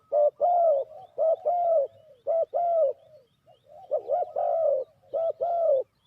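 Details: ['Spotted dove decoy for trapping gives a steady series of loud low coos, short notes paired with longer falling ones, roughly one phrase per second, with softer coos between.']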